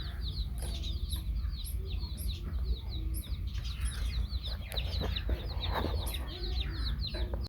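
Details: Baby chicks with a hen: a busy, unbroken chorus of high, quick peeps with scattered clicks and knocks over a constant low-pitched rumble.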